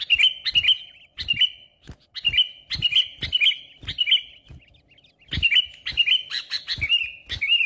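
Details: Sooty-headed bulbul song used as a lure to draw rivals for trapping: bubbly, slurred whistled phrases in short bursts separated by brief pauses, with sharp clicking knocks between them.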